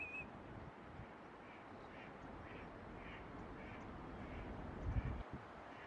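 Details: Eurasian teal on the Kamo River in late winter, as early spring blossoms open, giving soft, high, flute-like piping whistles about twice a second while a mischievous bird teases another, partly masked by rushing water or wind.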